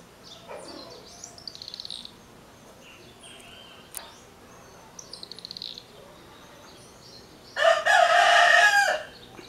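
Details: Rooster interrupting a singing andorinha tesoura swallow: scattered thin chirps and short rapid twittering bursts, then one loud, harsh crow of about a second near the end, with a faint click midway.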